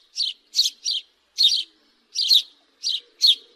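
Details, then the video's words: House sparrow gives harsh, bright chirps in short clusters of two or three, with brief pauses between bursts; no other sounds. "Sparrow bird call-صوت عصفور الدوري"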